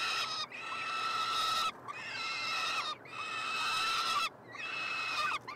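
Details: Peregrine falcon chicks, a brood of three, calling while fed at a University of Montreal nestbox in Quebec on 21 June 2022: four loud, grating screams, each over a second long, with short silences between.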